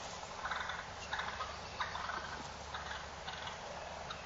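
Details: Male wild turkeys fighting, with rough, raspy call bursts that come in uneven pulses against constant low background noise.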